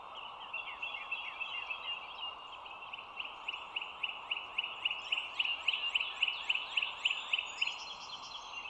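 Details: Bald eagle at a nest watched by an overhead live camera by the Dulles Greenway, 25 March 2022, 07:16; a long, even series of thin, high piping notes, several per second, over a loud constant chorus and hiss.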